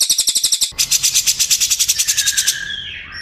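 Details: Cililin song meant as shama tutoring material; a rapid, bright, buzzy trill of repeated high notes lasts over two seconds and ends in a soft descending tail.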